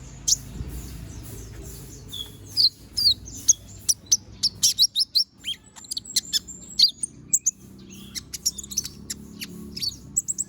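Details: Konin bird in moult, young and partly bald, singing busily: long sequence of sharp high chips, quick slurred whistles and short trills, some notes spaced and others tumbling together, with quiet low noise beneath.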